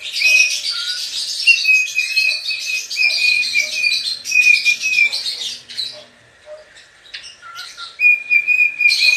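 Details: Pet cockatiel singing while dancing and rubbing its tail: busy chattering warble with harsh squawky notes over steady whistled tones, a short pause near the middle, then whistling resumes.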